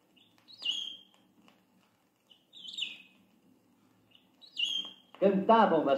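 Three short, bright chirped phrases from a Saffron Finch, about two seconds apart, with a low hum beneath and a man's voice narrating at the end.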